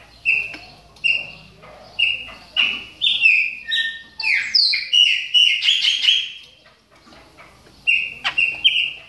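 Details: Chopi blackbird in moult, caged, warming up with repeated loud whistles about two per second, building to a dense, overlapping burst of notes mid-sequence, then a pause before a few more whistles.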